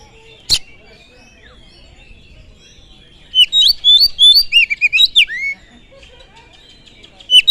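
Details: Oriental magpie-robin song used to provoke other birds: a lone sharp note, a long pause, then a quick two-second burst of varied whistled and slurred notes, with another brief note at the end over a quiet background.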